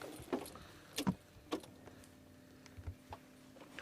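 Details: A vehicle rattles and knocks irregularly over a steady mechanical hum; no animal calls are heard.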